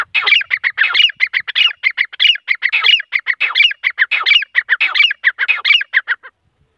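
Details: A grey francolin, recorded in the morning, gives a loud, harsh run of shrill, squeaky notes, rattled off rapidly and almost without pause for about six seconds. No other sounds are heard.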